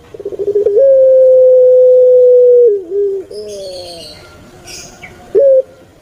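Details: Turtle dove of the puter pelung type, kept in Java, Indonesia: quick stuttering pulses lead into a long level coo held for two seconds, dropping into a hoarse, layered 'kwok' and ending with a short upward note.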